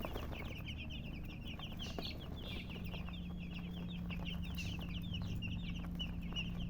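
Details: A flock of baby chicks chirping almost continuously, fast high peeps tumbling over one another at roughly four per second, over a steady low electrical-sounding hum.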